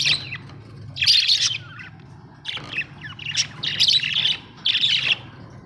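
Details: Budgerigars chirping in repeated bursts of bright, scratchy warbles about every second, with brief squawky notes and short gaps between, over a low steady hum.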